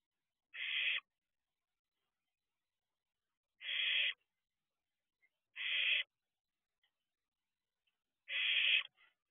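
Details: Owlet barn owl at a nest box, 4:31 am: four rasping hiss calls of about half a second, with uneven gaps of one and a half to three seconds and faint clicks between them.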